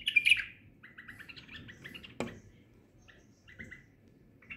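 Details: White-eared bulbul singing at a window, a loud bright opening flourish followed by short clear whistled notes in quick runs, then scattered softer phrases; a single sharp knock midway and faint low background hum.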